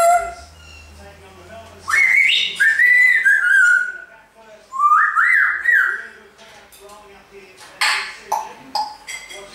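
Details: African grey parrot, a pet in Australia at Christmas time, mimicking Jingle Bells: two loud bursts of whistled, wavering phrases with rising and falling notes, separated by quiet pauses, followed by short scratchy chatter.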